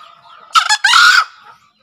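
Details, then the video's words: Male green junglefowl gives one short, hoarse two-part crow, a brief rasp then a longer harsh screech, over a faint steady hum, used as a lure call for newly caught or quiet birds; Green junglefowl. "Suara Masteran HARIAN Kelangenan Ayam Hutan Hijau"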